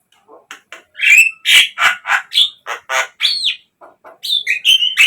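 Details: Javan myna song used as a lure for captive birds: quick-paced, jumbled phrases of scratchy chattering, rising and falling whistles and squeaks, with brief softer notes between loud bursts.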